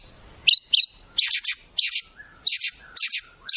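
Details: Shama song filled with imitations of wild birds: short bursts of high buzzy, harsh double notes repeated roughly every half second, with faint lower whistles between them.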